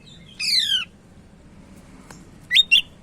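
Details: Sumatran leafbird from Medan, a lively tutor bird: a drawn-out descending whistle with stacked overtones, a pause, then two sharp rising chips, all over a soft steady hum.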